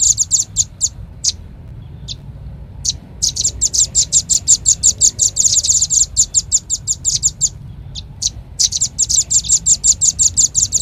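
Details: Red-billed leiothrix lure call: scattered single high chirps at first, then long fast runs of bright, ticking notes around six a second, with a short break near eight seconds.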